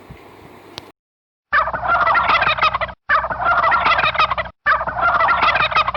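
A turkey gives a loud, rapid, rattling gobble, repeated three times in quick succession with only brief pauses between.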